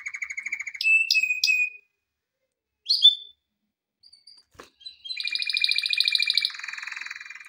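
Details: Male canary, sung for training, in broken phrases: a short trill, three sharp chips over a held whistle, a lone note after a gap, then a sustained high rolling trill and a lower buzzy tour.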